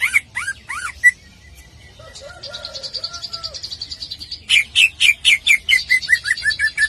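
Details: Greater green leafbird singing for contest training: a few swooping whistles, then a low warbled phrase under a thin high buzz, ending in a rapid series of bright falling whistled notes.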